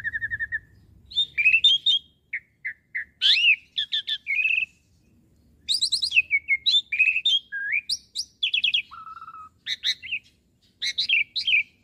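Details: A young Asian pied starling (Sturnus contra) sings a varied, rambling medley of chattering notes, whistled slurs and a steady flat whistle, in quick bursts with brief pauses, as a training song for other birds to imitate.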